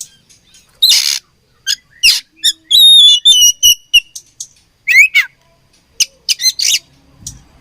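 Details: Fighting oriental magpie-robin from Indonesia with loud harsh rasping bursts, clipped chips and bright wavering whistled phrases in a busy, irregular sequence, including a quick upslurred note near the middle.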